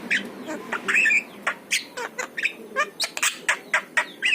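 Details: Yellow-eyed Javan myna singing, its song used to prompt pet mynas to sing: a rapid series of harsh, scratchy squawks about three a second, mixed with short wavering whistled notes near the middle and end.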